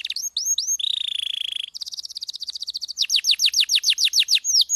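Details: Canary with an intense rolling song used to train other cage birds: a few looping whistles, a low steady buzzy trill, a rapid high roll, then a rhythmic series of downward-swept notes.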